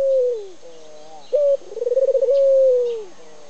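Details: A Barbary (ringneck) dove that can hardly fly coos while perched in a lilac tree: a long falling note, then a quick rolling stutter of about ten beats that runs into a drawn-out purring coo.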